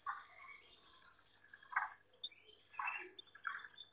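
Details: A male Gloster canary, kept with a female, sings a rapid, varied warble of high whistled trills and sharp chirps, with brief pauses between bursts.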